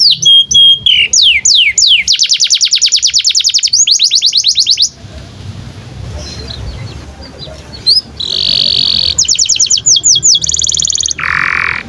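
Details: Canary song as a training master for young canaries: short whistles and fast rolling trills, then a pause, followed by a buzzy trill, quick falling notes and a lower harsh buzz.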